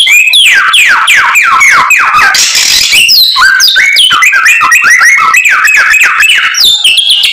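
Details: Persistent white-rumped shama song loaded with isian: repeated falling whistled slurs in quick series, a harsh rasping burst in the middle, then rapid varied notes again.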